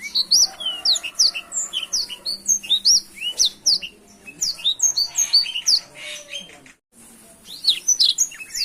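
A black-throated canary sings a fast, continuous stream of high, sweet chirps and twittering slurs, with a brief pause before it resumes.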